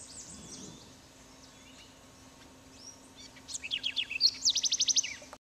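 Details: A house wren in Trinidad, 2005, gives a bubbly burst of high notes: a quick run of falling chips, then a fast, even trill of about ten notes, over a faint steady hum.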